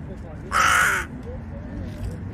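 A crow gives a single harsh, hoarse caw lasting about half a second, with faint background rumble before and after.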